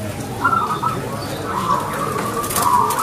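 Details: Local zebra dove (perkutut) singing: short clear cooing phrases at a steady pitch, broken by brief gaps, with a bright high phrase at the end over a soft background hiss.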